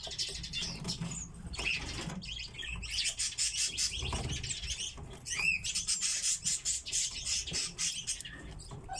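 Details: A flock of captive common redpolls (Acanthis flammea) keeps up a dense, high twittering of quick dry chet notes and buzzy trills, overlapping throughout, with soft low rumble beneath.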